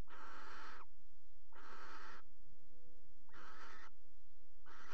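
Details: At a water-tower nest box in Axel on 5 February 2018, barn owls pairing on the box rim give long breathy hissing screeches, four bursts near 0.8 seconds each, separated by short quiet gaps.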